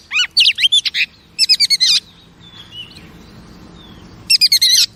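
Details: Female oriental magpie-robin song meant to excite male pet birds: three clusters of rapid, high chirping and warbled notes separated by quieter gaps with faint thin whistles in the background.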